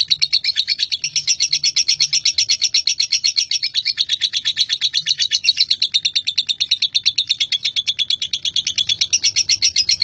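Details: Male lovebird in a long continuous chattering song, known as ngekek: rapid, steadily pulsing high-pitched buzzy notes repeated about three times per second without pause for the full ten seconds.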